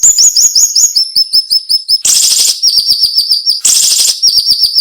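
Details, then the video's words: Cinnamon-bellied flowerpecker song used as a tutor recording for training cage birds, described as sharp and dense with short pauses. High, thin notes repeat rapidly in descending steps, broken by two loud buzzy rasping bursts. "MASTERAN SUARA BURUNG SIRI SIRI NEMBAK TAJAM"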